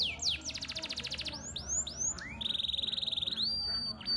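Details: Canary song of the 'cengkok mewah' kind: a rapid rattling trill gives way to three upward-swooping whistles, then a level buzzy trill and a long thin high whistle.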